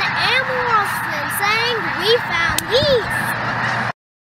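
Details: Geese in Arkansas give four arched, nasal honks over about three seconds, each rising then falling. A person talks loudly over them throughout, and the recording cuts off abruptly.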